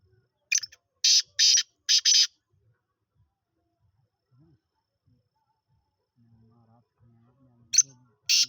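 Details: A young black francolin, five months old and calling for the first time, gives a burst of five harsh, scratchy notes, falls silent for about five seconds, then starts the phrase again.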